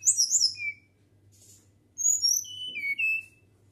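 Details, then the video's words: Natural fluting whistles from a flycatcher: a bright, rich opening phrase of very high notes, a quiet gap, then a smooth series of pure whistles sliding down in pitch, over a low steady hum. "Sikatan Gacor Suara Nyuling Alami"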